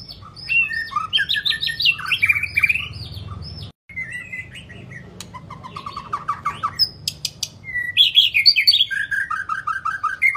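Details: White-rumped shama in long-phrased song: rich fluty whistles, descending trills and sharp chips strung into varied phrases, a brief pause, then renewed loud rolling whistled sequences.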